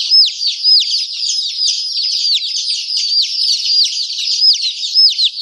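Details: Chicken chicks peeping steadily in a dense chorus, overlapping high thin downward-sliding whistles, about two per second, with no other sounds.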